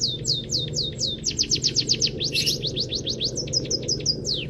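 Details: Canary-filled song of a munia (peking emprit kaji): quick high descending whistles, a short buzzy burst mid-phrase, then a rapid stutter of short notes, over continuous low background hum.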